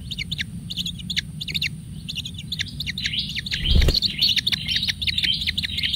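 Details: Kingfisher chick being fed lots of food: quick high chirps at first, then after a brief thud they merge into a denser, more continuous high twittering stream, with a faint low hum underneath.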